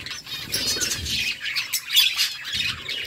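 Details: Budgerigars singing happily, a busy wash of scratchy chatter and squawky notes over a low background rumble.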